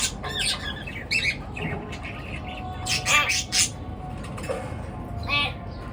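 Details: Pet birds chirping at morning time: irregular bursts of harsh squawks and buzzy chatter, louder in the middle, mixed with short tweets over a continuous low hum.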